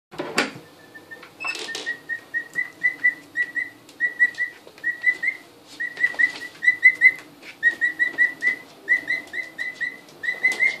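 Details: Two-week-old emu chicks, just arrived, getting their first glimpse of the house, recorded in February 2013: rapid series of short high whistled peeps, several per second in uneven bursts, with a few louder knocks and clatters.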